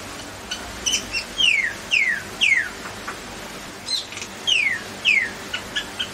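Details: A common (Indian) myna (Acridotheres tristis) gives clear whistled notes that slide steeply downward, mixed with short sharp chirps, about two per second, over a faint background hiss.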